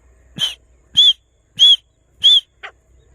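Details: Grey francolin in grass: four loud, harsh, high notes repeated about every two-thirds of a second, each with a bright arched whistle at its core and a soft low thump before it, then a short, lower final note.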